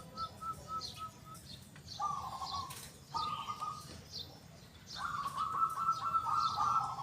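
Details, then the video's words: A local zebra dove sings actively, its large 'kung' voice loud and clear. Short quick coo notes open the clip, then longer vibrating phrases, the last one extended. Distant high chirping from other birds. "PERKUTUT LOKAL GACOR SUARA KUNG BESAR YANG KERAS & JERNIH"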